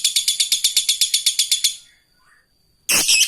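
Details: Lovebird fighter ngekek aimed at an opponent, used for training lovebirds: rhythmic harsh chatter of sharp pulses for two seconds, a quiet gap with a faint tone, then a loud harsh squawk.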